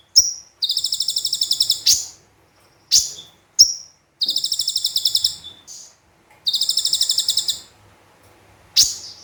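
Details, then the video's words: Lively Javan white-eye singing full 'tembakan' song combined with sparrow and cililin phrases, for training birds: three long rapid buzzy high trills broken up by crisp single chirps and short silences. "Konin Gacor Full Tembakan Kombinasi Gereja Sambung Cililin"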